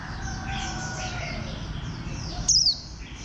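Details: After a stretch of faint high twittering and soft whistles, a warbling white-eye with a bantam-like posture bursts out with one loud, sharply falling chirp near the end.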